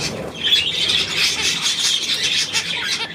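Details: Budgerigars chattering together, a dense continuous blend of high, scratchy warbles and chirps with a faint whirr near the start.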